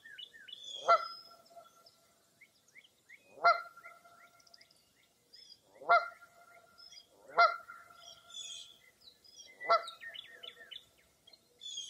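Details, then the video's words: Five loud honking calls spaced about two seconds apart dominate this foggy early April morning at Mirror Lake State Park, Baraboo, Wisconsin, with faint high chirps and trills from other birds between them. "Birding By Ear at Mirror Lake State Park"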